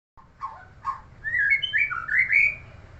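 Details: White-rumped shama, a neighbour's bird: two low harsh notes, then a loud run of rich whistled phrases that slide up and down and come in quick varied bursts, over a faint low hum.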